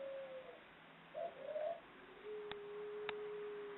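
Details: Female ringneck dove (puter pelung) at an Indonesian breeder in Central Java, ngelik ngluguk long call: a thin level tone, a brief wavering coo, then a long flat note, with two sharp clicks near the end.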